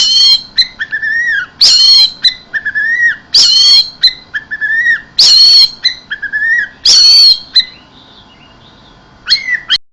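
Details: Orange-headed thrush in 'mabuk teler keserr' song: a phrase of harsh explosive bursts mixed with clear whistled slurs, repeated roughly every two seconds, then a short silence before the notes resume.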